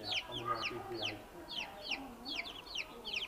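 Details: Newborn baby chickens peeping: a rapid series of high, downward-slurred peeps, about two or three a second, from several chicks, with faint low background rumble.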